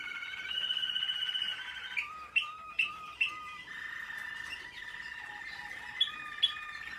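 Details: American Singer canary in training, 2021: a steady, sustained whistled tone, then a few sharp clipped notes about half a second apart, followed by a long level warbling trill ending in two more bright chips.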